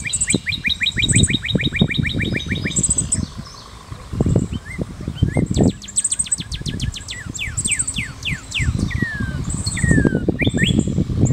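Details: Northern cardinal song opening with a rapid even trill of short two-part notes, then a series of steep downward whistled slurs, over heavy low rumbling noise and scattered high chirps from other birds.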